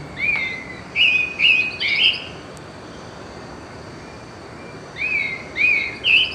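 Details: A Pale-breasted Thrush near Manaus in the Amazon sings a slow, melodic song of clear whistled phrases: four short notes in about two seconds, a pause, then three more, over faint hiss.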